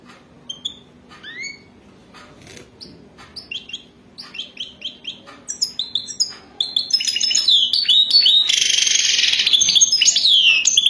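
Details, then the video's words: Wild European goldfinch giving Wadani-style mating song: scattered single chirps and short upslurred notes at first, then quickening twitters that build into a loud, continuous tumble of buzzy, jingling trills. "اجمل و اروع تغريد حسون وداني رائع جدا"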